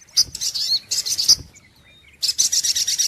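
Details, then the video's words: Sunbird call for luring: short bursts of high, sputtering chirps, a brief thin whistle in the gap, then a renewed run of quick buzzy pulses over a faint low hum. "SUARA PIKAT mp3 BURUNG SOGOK ONTONG"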